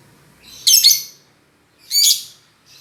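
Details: Lovebird giving two loud, grating high chirps a second apart, with a faint low hum behind.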